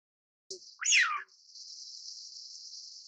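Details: Single Eurasian wigeon whistle, a bright upward flick dropping into a long descending slur, preceded by a soft low click and followed by a constant high-pitched hiss.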